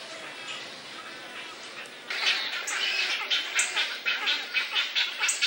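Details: Wood storks at a nesting colony, during the season of displays, nest building, incubation and growing chicks; after a quieter start, loud harsh rasping bursts repeat about twice a second, hoarse and noisy, over a faint background hiss.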